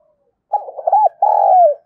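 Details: Single phrase from a female spotted dove cooing to excite males, thổ đồng voice: a burst of fast fluttering notes, a rounded hoop, then one long level coo that slides down at the end.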